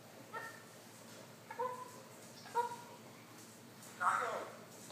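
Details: A Congo African grey parrot, one and a half years old, talking indoors: three short, clipped, tonal syllables about a second apart, then a louder, rougher, breathy utterance near the end.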